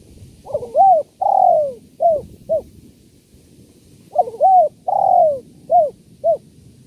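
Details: Spotted dove, known locally as tekukur, calling in the kuk 1-2 style used to lure doves: two phrases of low hooting coos, each a short note, a longer drawn coo and two clipped coos, with faint background hum.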